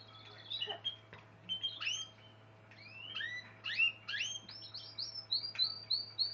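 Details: Spanish Timbrado canary singing a varied phrase of clear whistled notes and upward-sweeping slurs, ending in a run of short repeated notes, over a steady low hum.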